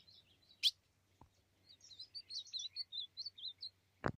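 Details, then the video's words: Ultramarine grosbeak sings a rapid, warbling phrase of high, slurred notes, with two sharp clicks and a low steady hum in the background. "Azulão bombeiro na pegada"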